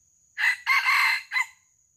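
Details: Junglefowl crowing during traditional luring to capture wild junglefowl alive: a brief hoarse opening note, a longer rough drawn-out middle phrase, then a short clipped final note, over a faint steady high-pitched insect whine.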